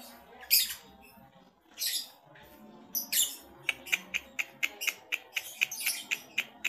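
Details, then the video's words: {'caption': 'Male lovebird judged ready for a singing contest gives sharp, high, scratchy chirps: a few scattered bursts at first, then a fast, even run of clipped notes about three per second until the end.'} "CARA Mengetahui LOVEBIRD Jantan siap LOMBA??"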